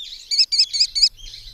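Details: Brazilian recording of an American kestrel (falcão-quiriquiri) giving four shrill, high-pitched 'klee' notes in a quick, even series of about four per second, with faint low background noise.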